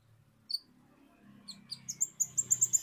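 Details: Indonesian kolibri ninja used as a singing lure: a few high chirps, then a steady run of sharp, high repeated notes roughly every fifth of a second, over a low background rumble.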